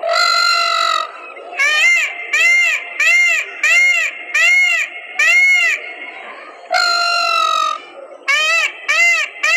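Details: Peacock calling while dancing: loud, nasal, harmonic wails, with one long drawn call, then a run of short arched cries about every half second, then another long call and quick repeats.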